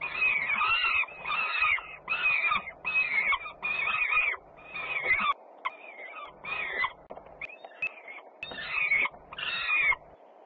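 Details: Peregrine falcon siblings at feeding in Włocławec, Poland, 3 June 2010, one sister returning with a racket: a series of about a dozen harsh screeching calls, evenly spaced, tapering toward the end.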